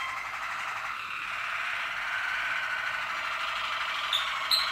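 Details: Malinois Waterslager canary from 2014 delivering a long, continuous, wet rolling tour, a dense bubbling warble held steady for several seconds, with a few sharp high notes near the end.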